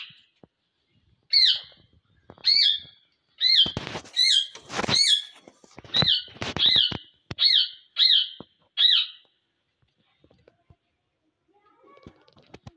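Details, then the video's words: Parrots in winter, kept and protected from the cold: loud, harsh squawks with a bright doubled tone, about ten calls in quick irregular bursts over nine seconds, then near silence with faint rustling at the end. "Winter Session men Parrots ko Sardi se bchaen"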